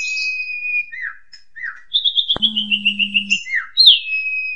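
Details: Asian pied starling therapy song, ngentrok style, meant to startle home-kept magpie robins: level whistle and falling slurs, then a rapid train of about ten clear repeated notes, with a brief low electronic hum underneath.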